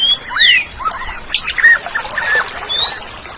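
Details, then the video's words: Oriental magpie-robin, a kept songbird, in a training recording for pet birds: varied whistled phrases with rising and falling slurs and scratchy notes, ending in a long rising whistle. "Suara Burung Kacer"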